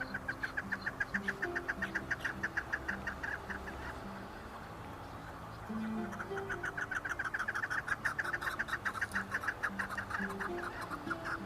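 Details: Chukar partridge calling: a fast run of short, clipped chuck notes, about three to four per second, fading midway and then building again. Steady music plays underneath throughout.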